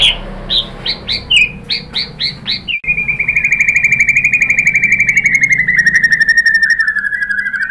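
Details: White-rumped shama singing to provoke other birds to answer: about seven short, evenly spaced whistled notes, then an abrupt cut into a long, fast, buzzy rattle held at a steady pitch and slowly falling for five seconds.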